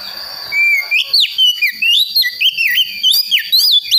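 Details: Juvenile Priangan magpie-robin from the West Javan forest practising song, progressing from fine to rough twitter to ngeplong: a drawn-out whistle, then a fast chain of bright, looping whistled phrases separated by short pauses, a constant high tone behind.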